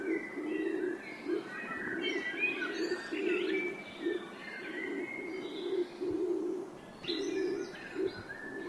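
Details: Dense, rolling low cooing of a group of pigeons, pulsing steadily throughout, overlaid with busy chirping of other birds.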